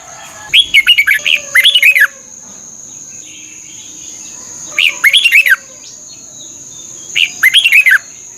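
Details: Thai Red-whiskered bulbul singing in a training recording meant to rouse caged birds. Three clusters of bright, looping whistled notes come a few seconds apart, each ending on a downward slur. A constant high whine lingers in the background.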